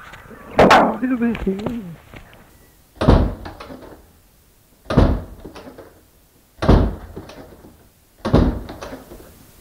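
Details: A captive male musk duck in a pen mimics a gruff human phrase, most likely copied from his caretaker, then gives four loud door-slam thumps about every one and a half seconds; vocal mimicry.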